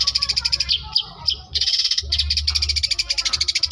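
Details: Long-tailed shrike from South Malang mimicking lovebird and canary: rapid high chattering notes repeated several times a second, broken by a short pause, over a steady low hum.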